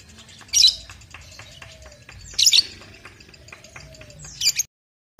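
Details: Young lovebird, two and a half months old, kept as a pet: three short, shrill high chirps spaced about two seconds apart over a quiet background hum.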